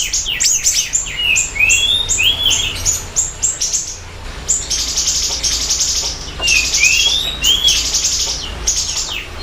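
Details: Siri-siri bird in full chatty song, a lure and master recording: quick high chirps with paired lower rising-falling whistles, then sustained buzzy high trills in two long bursts.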